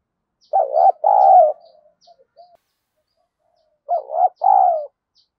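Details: Spotted dove used as a decoy to provoke fighting, two cooing phrases about three seconds apart, each a trembling double note and a longer soft coo, with faint quiet murmurs and high ticks between.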